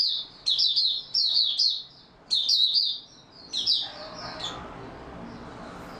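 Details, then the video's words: White-eye (Mata Puteh) singing in stable opening-song form, recorded 28 February 2022: high thin twittering bursts of quick chirps, four phrases with short pauses, the last trailing off into a soft background hiss. "Mata Puteh Raja Video 1 buka sing stable form 28022022"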